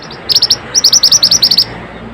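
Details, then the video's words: Mantenan song used as a training recording: a quick string of high, clipped chirps in two runs, about a dozen bright ticking notes delivered rapidly and evenly, with steady low hiss behind. "suara burung mantenan super unik"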